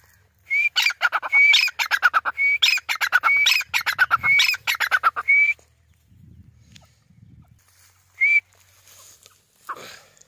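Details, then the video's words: Grey francolin calling in loud bursts: a high, short whistle that slides upward, then a rapid run of harsh, clipped notes. The phrase repeats about once a second for five seconds, followed by quiet and one isolated whistle. "Grey francolin call"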